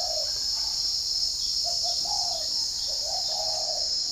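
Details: Morning spotted dove coos in Ba Vì, northern Vietnam, with wild birds said to be answering. Low, soft two-part coos repeat about every second over a steady, shrill insect chorus.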